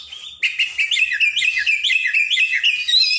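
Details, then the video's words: Oriental magpie-robin (kacer) in lively tutor-recording song: a quick series of bright, bouncing whistled notes, about two per second, rising and falling in a rolling pattern. "Masteran burung Kacer/Klacer gacor dor nembak durasi panjang cocok buat pancingan burung malas bunyi"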